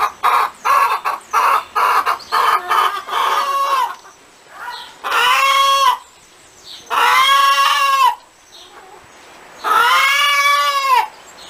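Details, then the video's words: Cackling hen: a quick string of short clucks speeds up, then breaks into three long, drawn-out, nasal squawks. Each lasts over a second and rises then falls, separated by brief pauses. "Ouça o som de uma Galinha cacarejando"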